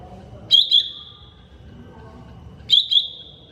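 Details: Greater green leafbird, mini type, training recording: a sharp paired chip note flowing into a steady bright whistle, repeated after roughly two seconds of near quiet.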